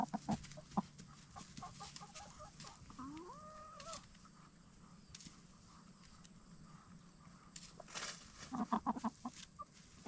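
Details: Black star and Bielefelder hens settling in for the night inside a movable chicken tractor; a drawn-out rising and bending call stands out, with a few soft clucks around it and quiet background.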